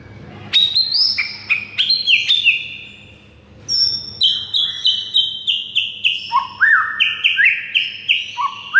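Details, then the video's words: White-rumped shama master song meant to rouse silent shamas into singing: rich run of clear whistled phrases, sliding and stepped notes with sharp high chips, phrases spaced by brief pauses, faint steady hum beneath. "MURAI BISU SONTAK NAIK EMOSI DAN GACOR DENGAR MASTERAN MURAI SATU INI"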